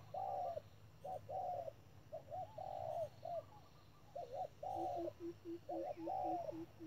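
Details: Decoy spotted dove calling at a bird trap, giving rounded two- and three-part coos in repeated bursts, then a regular string of lower, softer pulses near the end over a quiet rural background.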